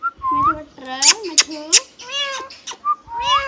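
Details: Hand-tame Rose-ringed parakeet talking indoors, imitating speech with nasal harmonic syllables and a rising whistle, several sharp clicks in the middle.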